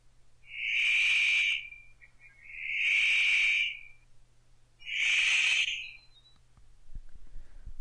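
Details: Immature male Paradise Riflebird practising his mating display in northern New South Wales lowland rainforest, giving three long, harsh, rasping calls, each about a second long, roughly two seconds apart, over a faint low hum.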